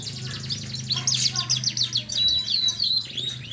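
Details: Canary song of quick, tightly repeated high chirped notes forming buzzy trills that rise and fall in loudness, accompanied by a constant low droning hum.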